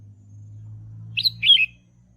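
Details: Red-whiskered bulbul song for training young birds: a low hum gives way to one short phrase, a bright quick note and then a rich, slurred warble.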